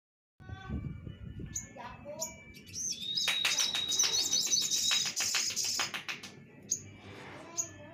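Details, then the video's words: Orange-headed thrush song offered for training other birds: a rich, varied run of high chirps, trills and a long sustained whistle, with dense rapid notes in the middle and a low rumbling background. "suara masteran burung sogok ontong"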